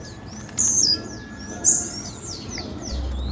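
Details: A few piercing, high descending chirps from a female blue-black grassquit, the loudest two about a second apart, followed by fainter slurred notes, with light hiss.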